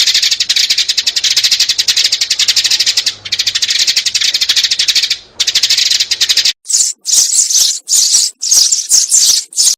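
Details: Adult and young sparrows in a lure recording for bird trapping: long bursts of fast, buzzy, rattling chatter, then a series of separate sharp, high chirps repeated roughly every half second.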